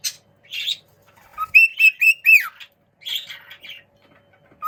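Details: Playing juvenile cockatiels exchange calls: brief scratchy chirps, then four clear whistled notes in quick succession, the last sweeping downward, followed by softer warbling chatter.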